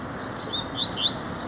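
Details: Double-collared seedeater (coleiro) kept as a pet, giving a brief run of high, quick chirped notes that build into louder, sweeping whistled phrases near the end, over a faint steady background hiss.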